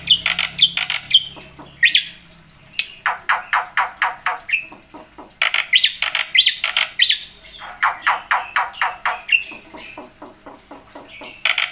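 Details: Black-winged myna in continuous full song with mixed fill-in phrases: harsh squawky notes and bursts of rapid raspy chatter, separated by short pauses.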